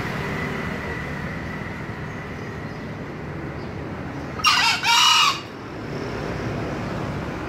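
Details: A single green junglefowl crow, about one second long, split into two hoarse bursts, rising out of a quiet background with a low continuous hum.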